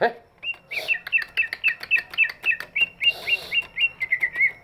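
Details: Greater green leafbird with a big body, its song used to prompt lazy birds to sing: bright, slurred whistled notes repeated about four per second in a steady run, with a brief rustle midway.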